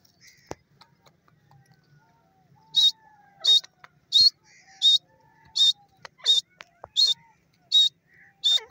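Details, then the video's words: After a quiet start with faint chirps, a grey francolin (teetar) breaks into loud, harsh, ringing notes repeated about every 0.7 seconds. "teetar ki awaz,teetar awaz,teetar sound ,teetar voice"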